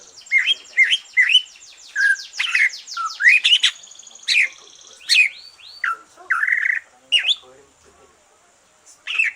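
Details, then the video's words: Green leafbird singing after finishing its moult, a song used to stimulate other green leafbirds to sing: a varied run of loud whistled notes, rapid buzzy trills and upward-sweeping chirps with short pauses, against a quiet background. "Kicau santai cucak ijo,,rangsangan cucak ijo selesai nyulam"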